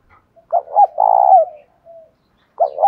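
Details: Decoy spotted dove in the 'giọng thổ pha' voice style, cooing to spur rival doves to fight: a quick stuttered double note, then a long, even, throaty coo falling at the end, with a faint low hum before the next phrase begins.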